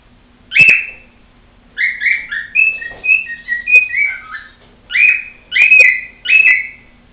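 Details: A pet female cockatiel whistles: one sharp note, a pause, then a flowing run of wavering whistles dropping in pitch, ending with three loud clipped whistles in quick succession.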